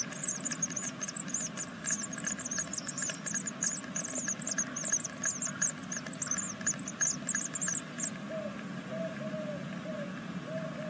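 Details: Great tit chicks, day six of the second brood, in a nest at Veszprém, Hungary, call in a fast, continuous stream of very high squeaks for about eight seconds, then fall silent, leaving soft mid-pitched tones and low hum.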